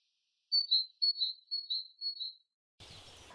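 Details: Great tit, a regular visitor to feeders, singing in a sparse hornbeam forest during the morning chorus: four quick, high two-note phrases, each a bright note dropping slightly to a second, followed by a burst of rustling noise.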